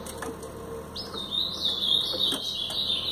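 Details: A brown-plumaged Blue-black grosbeak delivers a Paraná song phrase, a sustained high, slurred warble with quick upward slides and trills lasting about two seconds, over a faint background hum.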